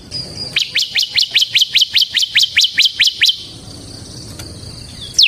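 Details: Bar-winged prinia of the ciblek semi type in gacor ngebren singing style, a lure and tutor for other ciblek: a rapid series of about twelve sharp rising-then-falling chirps, evenly spaced, then a quiet pause with one faint note at the end.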